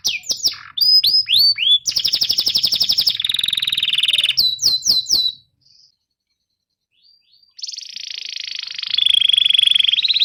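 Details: Canary song for teaching young birds and stimulating ones that stopped singing: sweeping slurs and a dense buzzy trill, a run of falling notes, then several seconds of silence before a long rasping roll with a high thin whistle.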